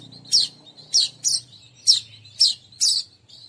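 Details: Weaver birds, with a recording played as a lure to attract all kinds of weavers: sharp, high chirps given in a loose series, six in under four seconds, each a quick downward-sweeping note over a quiet background.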